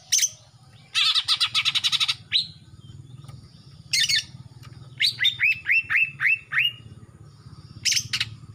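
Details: Young male greater green leafbird from Kalimantan, past its mottled juvenile stage with black showing on the front of the neck, singing eagerly: dense buzzy chattering bursts alternating with a run of bright, quickly rising whistled notes, low hum beneath.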